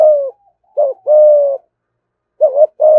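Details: Thúc gù cooing from a caged spotted dove: a falling coo, a short double note, then a long steady coo, with a pause before another clipped note pair.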